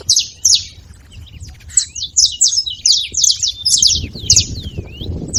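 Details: Several free-living saffron finches gathered at a feeding spot, making noise together: dense overlapping high, sharp chirps and short down-slurred notes in quick bursts, over a low, steady background rumble.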